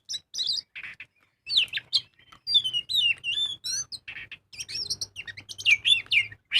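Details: Kacer, the magpie-robin, singing at full volume as a lure recording: rapid run of sweet whistles, upslurred notes and buzzy chattering bursts, very high and busy, with short gaps and a steady low hum in the background.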